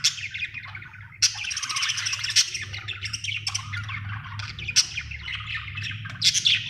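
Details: Dense, nonstop warbling chatter from a happy budgerigar, grating and twittering with occasional sharp high squeaks, over a constant low droning hum.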